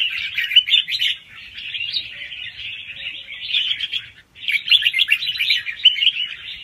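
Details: Fast song rounds from a young wild red-whiskered bulbul, with doubled phrases, played to excite other birds; two bursts of busy warbling are split by a short pause near four seconds.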